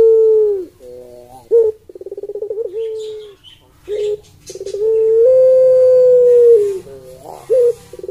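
Barbary dove giving low, mellow coos: short hooting notes, a rolling burst of rapid pulses, then one long, drawn-out steady coo lasting about two seconds.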